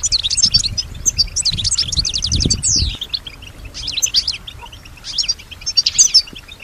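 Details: European goldfinch, a female, singing in imitation of surrounding sounds; bursts of rapid twittering and buzzy trills with a descending slur, separated by short gaps, faint low noise beneath.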